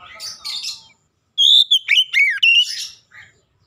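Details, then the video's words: Clear Oriental magpie-robin song played as a lure to set other magpie-robins singing; a soft, hissy chatter gives way to a bright sequence of sweet whistles and arched slurred notes, then fades. "kicauan jernih Kacer pemikat | KACER macet bunyi langsung ikutan gacor"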